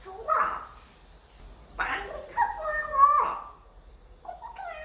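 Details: Five-year-old male African grey parrot kept as a pet, attempting English: a string of four speech-like utterances, tonal and slurred, with a longer gliding phrase near the middle, in a quiet room.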